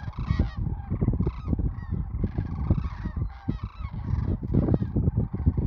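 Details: Sandhill cranes on spring migration south of Wood River, Nebraska: a dense flock chorus of overlapping rolling, honking calls with many voices at once, over steady low rumble.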